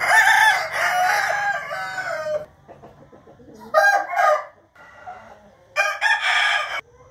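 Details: Rooster giving a long morning crow, loud and harmonic for over two seconds, then quieter gaps broken by short clucking bursts.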